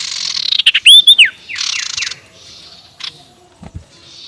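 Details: Spotted owlet ngekek call meant to provoke rivals: a raspy chatter leading into a burst of loud looping squeaky notes, then three quick descending scratchy calls and faint rasps.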